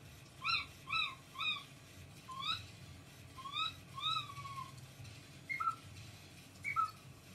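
A cockatiel gives short, harmonic chirps and a few rising and falling whistled notes, loosely spaced.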